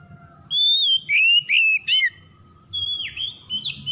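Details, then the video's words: Oriental magpie-robin (kacer) lure for stressed birds that stopped singing: a rising whistle followed by quick, jumbled, twisting notes and chirps, then softer falling whistles. "PANCINGAN PEMIKAT KACER SETRES MACET BUNYI LANGSUNG GACOR"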